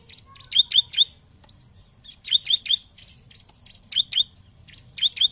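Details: Bar-winged prinia, 'nembak' style lure song for rival birds: short groups of three sharp, piercing high chirps repeated about every one and a half seconds, with faint twitters in between.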